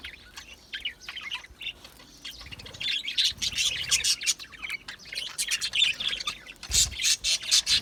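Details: Several budgerigars in an aviary give busy scratchy chatter, starting softer with scattered chirps and clicks, then swelling into louder overlapping warbles and harsh squawk-like notes toward the end.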